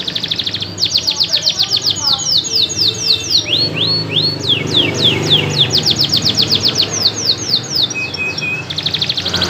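A canary sings loud, rapid rolling trills of high sweeping notes, about four per second, shifting between phrase types, with faint background hum.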